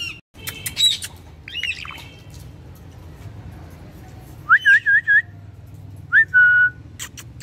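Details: Indian ringneck parakeet kept as a pet, said to talk a lot with its owner; a few harmonic chattering syllables, then clear whistled notes with a wavering trill and a flat, held whistle, over a low background hum.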